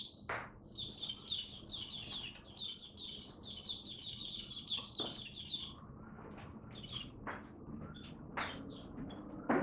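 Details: Kept oriental white-eye starting to sing, on a diet adjusted for cold rainy weather: soft, fast, high twittering chirps run continuously for about six seconds, then scattered sharp ticks and knocks follow.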